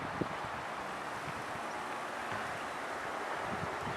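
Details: Steady outdoor wind and microphone rumble with some rustling, no animal calls heard.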